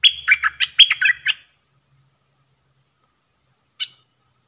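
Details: Caged bulbul in a song duel with wild birds, 3 October 2021. A fast, chattering run of jumping whistled notes lasting over a second, then silence and a single short upslurred note, with a faint low rumble.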